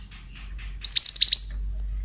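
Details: Male Oriental magpie-robin bait song: a brief rapid phrase of about five shrill, hooked chirps over a low steady rumble, with faint notes before it.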